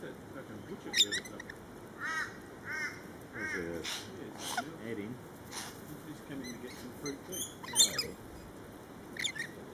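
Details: Crowd of lorikeets in a feeding frenzy: a noisy mix of piercing screeches near 1 and 8 seconds and several curved, harmonic squawks between 2 and 4 seconds, over continuous low background noise.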